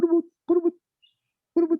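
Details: A Rufous Motmot calling in the afternoon at Arenal Observatory Lodge on the lower slopes of Arenal Volcano, Costa Rica, among gardens and mid-elevation forest, gives three deep, hollow, slightly wavering owl-like hoots about half a second to a second apart.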